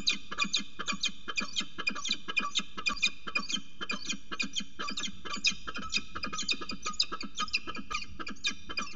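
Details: Northern goshawk mating at the nest edge, water tower at Axel, 5 February 2018: a long, fast, steady series of harsh, ringing notes, roughly two per second, over low hum.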